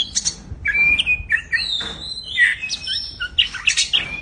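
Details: Big jumbo white-rumped shama delivering a fast, varied song: sliding whistles, short sweet chirps and scratchy notes packed tightly together over about four seconds.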